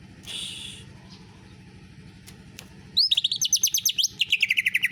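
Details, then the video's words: Greater green leafbird imitating canary song: a faint buzz, then a quiet pause before a sudden fast trill of sharp repeated notes that drops slightly toward the end. "Cucak ijo rasa kenari"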